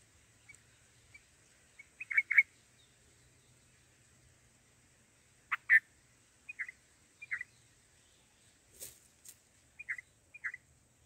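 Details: Black-headed bulbul chicks in the nest on their first day of feeding give short, high chirps at irregular intervals with a few sharper bursts, over faint hiss; one chick nearly died eating an oversized mantis.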